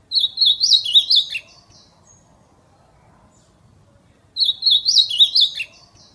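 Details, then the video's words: Ultramarine grosbeak singing and calling in natural surroundings, 'fibra' song style: two short phrases of rapid, high whistled and warbled notes about four seconds apart, separated by quiet. "AZULÃO CANTO FIBRA CHAMANDO E CANTANDO NA NATUREZA"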